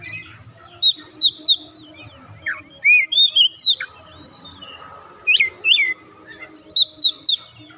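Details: Clear whistled phrases from an oriental magpie-robin, played to set untrained birds singing: sweet high notes in quick groups of three or four, some swooping down and up, separated by brief silences.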